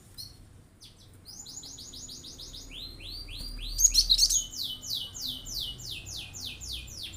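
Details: Cinereous tit singing to stir other birds into calling: a long run of quick, high downslurred notes repeated about four times per second, rising in loudness, with a brief sharper flourish midway.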